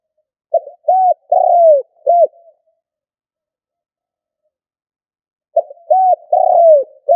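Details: Spotted dove decoy bird giving the stuttering 'cà lăm' coo: a low four-note phrase of a short note, an arched coo, a long falling slurred coo and a final arched coo, repeated after about five seconds of silence, with no other sounds.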